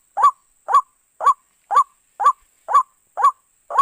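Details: White-breasted waterhen call used as a lure for trapping birds; harsh, nasal two-part notes repeated evenly about twice per second, eight calls in a row, over a faint steady high-pitched electronic whine.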